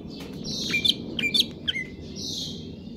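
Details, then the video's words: Greater green leafbird, said to be in stable condition, singing in the 'konslet kejer nembak' style: sharp high chirps and short whistled slurs in quick bursts, with a broad hiss at the start and end and low background rumble. "cucak ijo konslet kejer nembak"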